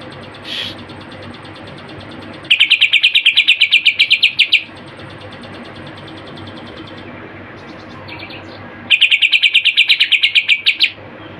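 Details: Greater green leafbird song full of mimicked phrases, with two bursts of fast, even, rattling trills separated by a few seconds of quieter chips.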